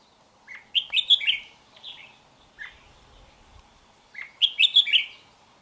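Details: A red-whiskered bulbul from Hòa Bình, Vietnam, sings on 3 March 2023. A bubbling phrase of chirpy whistled notes is followed by a few single notes, then the same quick, tumbling phrase is repeated, with a quiet background.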